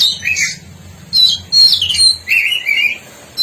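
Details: Energetic song of a black-breasted oriental magpie-robin from East Java, made of short bursts of sweet, slurred whistles and scratchy notes separated by brief pauses.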